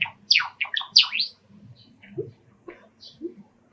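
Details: Pet sakura Java sparrow indoors singing, stirred by sparrows calling from a park outside an open, screened balcony window: a quick burst of sharp, falling chirped notes, then softer scattered low peeps.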